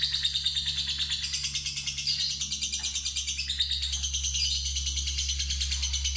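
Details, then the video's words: Novice fighter lovebird in a lure test, producing a continuous ngekek: dense, high, rattling chatter in steady rapid pulses, over a low electrical hum. "Pancingan Lovebird Fighter Ngetik Ngekek Terpanjang"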